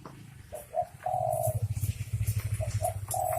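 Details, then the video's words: Spotted doves, a male and female pair, give short cooing notes and a long level coo twice, partly masked by a strong low engine-like rumble. "Suara Burung dekukur jantan dan betina"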